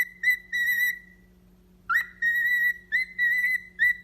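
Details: Pet parrot whistling: a held, clear note, a pause, then several sustained level whistles that each begin with a quick upward slide, over a continuous low hum.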